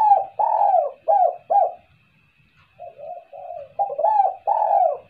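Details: A spotted dove gives low, throaty coos in short groups, each note swelling then dropping, with a softer run in between, over a faint steady hum; a recording used to lure doves into calling.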